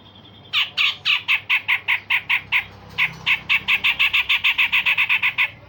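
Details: Grey-cheeked bulbul song of the style called harsh rasps and sharp shots, used to train other songbirds: a rapid series of about twenty harsh, buzzy bursts, roughly four each second, with one short pause midway.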